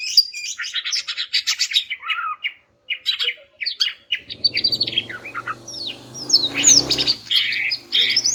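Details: Greater green leafbird song for prompting silent males: rapid twittering and whistled phrases, a brief gap, then more slurred whistles and chips over a faint low hum.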